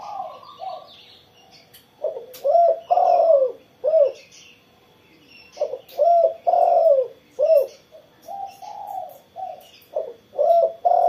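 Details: Spotted dove singing vigorously after morning sunning, repeating low rolling coo phrases in two bursts across eleven seconds, each of several short and long coos, with sharp clicks and frequent small-bird chirps behind.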